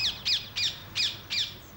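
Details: Wild rose-ringed parakeets in Britain, where they raid vineyard grapes at ripening. They give harsh, grating screeches, about three each second, each a high shriek bending downward.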